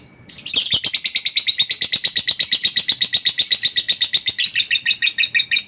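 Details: Lovebird in a long ngekek chatter, a master recording meant to help other lovebirds sing: loud, rapid, rhythmic string of shrill buzzy notes, roughly five per second, running unbroken for over five seconds.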